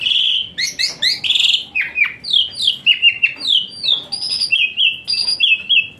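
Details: Asian pied starling, rich varied song for therapy of a lazy-singing starling: harsh chattering notes giving way to a sequence of descending and flat whistles, some very high.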